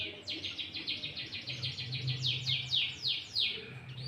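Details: Sooty-headed bulbul lure song with green leafbird-style fill for trapping and provoking rivals; rapid run of sharp downslurred high notes, about three per second, steady and repetitive, faint low hum beneath.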